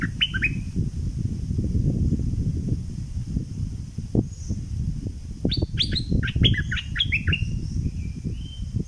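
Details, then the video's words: Southern Thai bulbul, double style, gives a short chirp at first, then a longer run of rapid bright falling notes, with a constant low droning background throughout. "เสียงนกดอกแตงภาคใต้ สายเบิ้ล!!!Burung merbah lekir gacor bahanan"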